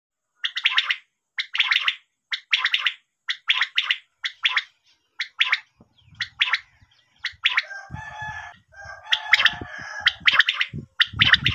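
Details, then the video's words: Female common quail call used for quail hunting: sharp, clipped double and triple notes repeated about once a second, with low rustling and knocking noise in the later part. "batair hunting sound"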